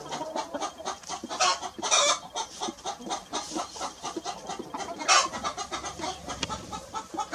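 Hens cluck in a busy, overlapping chatter of short, rough notes, several a second, with a few louder squawking bursts.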